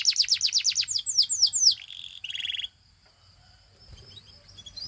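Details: Belgian canary singing to set other canaries off: a run of loud, sweeping whistled notes about four per second, then two short buzzy trills, followed by near silence with a faint thin tone.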